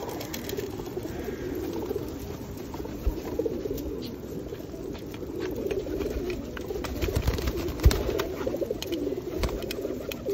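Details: Feral pigeons fed in the rain at Osu Kannon in 2021 keep up a dense, low, throaty cooing, with scattered taps and wing flutters through the recording.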